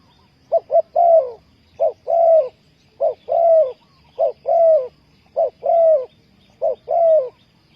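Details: Spotted dove used to lure wild doves into a trap, cooing steadily: about six rhythmic phrases in quick succession, each a short clipped note or two leading into a longer, slightly falling hollow coo.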